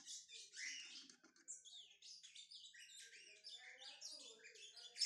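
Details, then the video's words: Brown-plumaged Lined Seedeater warming up, pouring out a fast, unbroken warble of high chirps, slurred whistles and buzzy trills, ending on a sharp bright note. "Esquentando-meu-bigodinho pardo"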